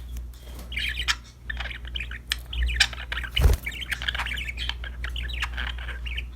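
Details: Budgerigars, happy and playing with a new toy, keep up a continuous twittering warble of fast chirpy, scratchy notes, with a loud knock midway and a low rumbling hum throughout.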